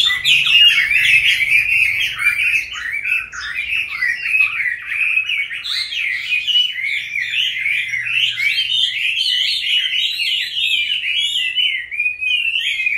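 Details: Extended song of a captive Chinese hwamei, caught as a wild adult and kept five years: a long stream of fluty, warbled whistles with rapid up-and-down slurs, steady in loudness throughout, with a faint low hum in the background.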